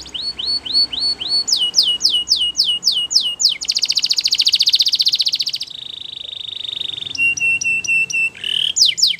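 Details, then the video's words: Belgian canary singing a training song for young canaries, rising hooked whistles, steep descending strokes, a loud rolling trill, a lower steady roll and short repeated notes. "Belgian Canary Singing !! Canary Training Song"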